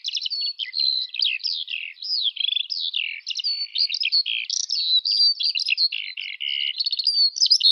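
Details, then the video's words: Eurasian skylark pouring out its song, a lively stream of high whistles, downslurred notes and chirps, with a short level trill near the end. "Жаворонок полевой (Alauda arvensis) *** Пение птиц"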